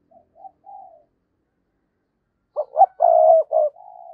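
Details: Spotted dove decoy, 2022, cooing to draw in wild doves: three soft ascending-length notes, silence, then a loud stuttering run of throbbing pulses trailing into a sustained coo.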